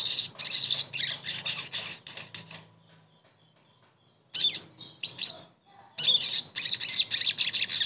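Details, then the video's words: Sogon song meant to coax a bird that stopped singing back into full voice: loud rapid buzzy high chirps, a pause of about two seconds, scattered sharp notes, then another dense chirping run. "TERAPI SOGON MACET langsung GACOR"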